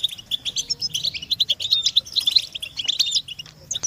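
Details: Chorus of European goldfinch mating and readiness calls, used to motivate captive males to sing: bright, clipped high twitters and liquid tinkling notes in quick overlapping runs, rising and falling in short surges.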